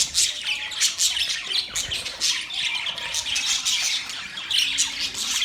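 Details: Continuous high twittering from budgies, made of short sharp chirps repeated rapidly over scratchy warbling, with little variation in loudness.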